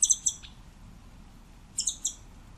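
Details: Two quick bursts of three high, piercing notes from a scimitar-billed woodcreeper, separated by a pause of over a second, with little else heard.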